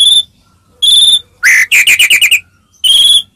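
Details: White-rumped shama song to make other shamas respond: clean sustained high whistles framing a rising note and a quick buzzy trill of about six pulses.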